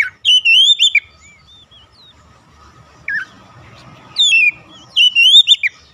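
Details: Oriental magpie-robin lure song to provoke other magpie-robins: bright warbled whistles sliding up and down, an opening phrase, a lone downslurred note, then two more phrases near the end, with light background hiss.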